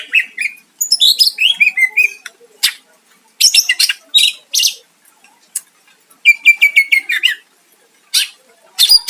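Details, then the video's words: Greater green leafbird song to draw a rival's answer, mixing harsh scratchy bursts with bright slurred whistles and a rapid trill of repeated notes, delivered in spaced phrases. "Cucak ijo gacor mancing lawan dijamin Nyahut"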